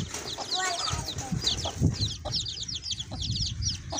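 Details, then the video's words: Chicks with a hen, close and loud: bright, slurred high peeps in quick runs, mixed with a couple of lower clucking notes early on and soft thuds. "cute baby chicks with hen"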